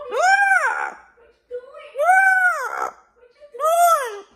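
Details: Pet parrot crying in a tantrum because it does not want to sleep, indoors during quarantine: three loud, drawn-out, arching wails, each rising then falling, separated by short pauses, with softer whines in between.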